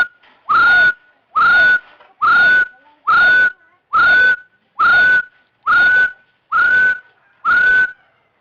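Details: Nine partridge whistles in a row, evenly spaced at roughly 70 per minute. Each note sweeps up sharply, then holds a clear, level pitch. There is no other animal or background sound.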